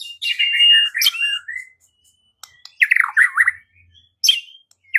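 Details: White-rumped shama song used as a lure to provoke singing and fighting: bright whistled phrases sliding down from high to middle pitch, a pause, then a burst of rich warbled notes and a short high flourish.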